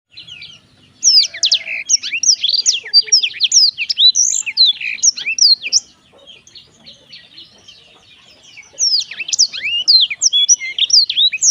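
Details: Cheerful, melodious song of a black-throated canary: dense, rapid high twittering with sharp chirps and quick sweeping notes, in two long bursts separated by a quieter stretch of about three seconds.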